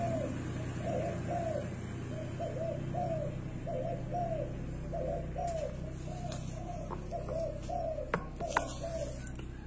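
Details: Spotted dove perched on a rubber tyre, cooing "guru": a long run of soft, low, hooting coo notes, roughly one and a half per second, with a steady low hum underneath and a few faint clicks near the end.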